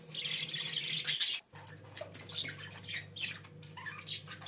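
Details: Budgerigars at home give soft, distant-sounding chattering warbles and short chirps, with a brief pause partway, over a steady low hum.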